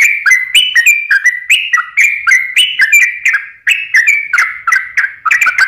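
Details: Lure song of a sooty-headed bulbul, meant to make idle or stressed birds sing: a quick chain of liquid whistled phrases, each stepping up then dropping, repeated steadily with one short break.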